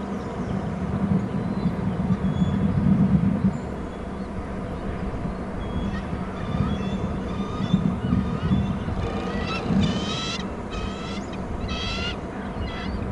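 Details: Eagle at a nest on Hornby Island, with a mate bringing in a fish and eaglets being fed. Steady low hum at first, then a run of sharp, harmonic, chattering screech notes that grows more intense toward the end.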